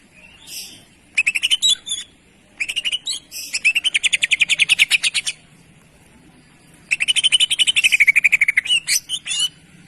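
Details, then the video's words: Greater green leafbird singing for a jantrok-style tutor recording: bursts of fast, sharply repeated high notes separated by short silences, the longest run steady and rattling, with a final burst sliding downward. "CUCAK IJO Auto JANTROK denger Suara Masteran ini"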